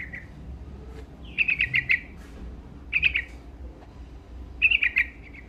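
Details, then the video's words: Sooty-headed bulbul singing energetically to stir rivals. A short opening note is followed by three crisp bursts of bubbly, pulsing notes, spaced about a second and a half apart. "Suara Burung Trucuk Gacor Dongkrak Emosi Lawan"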